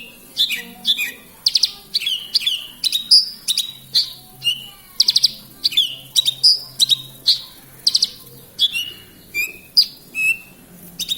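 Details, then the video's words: Horsfield's bush lark in Kediri, Indonesia, in full 'gacor' song: steady, rhythmic stream of high, sharp whistles and rattling note clusters, roughly two per second, varied in pitch and shape. "Branjagan gacor"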